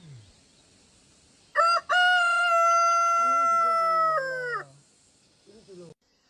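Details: Rooster crowing: after a short introductory note, one long, loud, harmonically rich crow is held steady for nearly three seconds, then drops and fades at the end. A brief fainter call follows, and a low murmur sits underneath.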